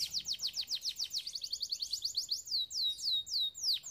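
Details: Canary training song: rhythmic downslurred whistles speeding into a rapid high trill, then a few slow, drawn-out descending whistled notes.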